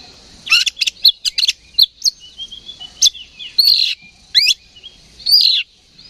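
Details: Agitated oriental magpie-robin giving ngeplong song as a fight lure: a rapid series of sharp, ticking notes, followed by louder slurred whistles and a final strong downward phrase.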